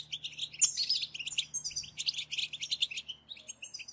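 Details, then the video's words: Several European goldfinches in a collective song meant to excite a goldfinch into singing. Bright, jangling high twitters and short buzzy trills come in quick bursts, slightly quieter and more spaced than a full chorus, over a low hum. "أخرج حسونك من صمته واكتشف التغاريد المخفية لديه.. بتبتة خرافية وتحفيز رهيب"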